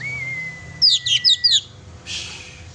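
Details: Oriental magpie-robin in full song, used to rouse a pet magpie-robin: a long level whistle under four bright, high twittering notes, followed by a brief burst of hiss.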